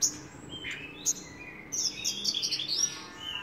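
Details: Javan bush lark giving a clipped high call, a pause, then a fast tumbling run of bright chirps and whistles.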